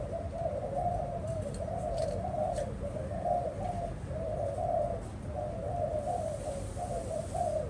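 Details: Cooing from a spotted dove: a steady chain of low, mellow coo phrases, each under a second, running almost without pause over a heavy low background rumble.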